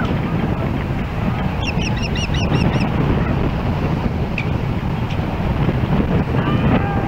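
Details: Webcam audio from an osprey nest in Hellgate Canyon, Missoula, Montana, July 4, 2016, as a second osprey draws near: one quick string of about six ringing, high chirps early on, then only gusting wind.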